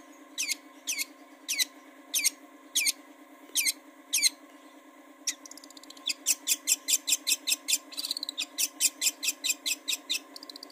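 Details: Long-tailed shrike song played to coax birds into singing: first a slow series of sharp high ticks about every half second, then a fast run of bright chirping notes, over a steady low hum.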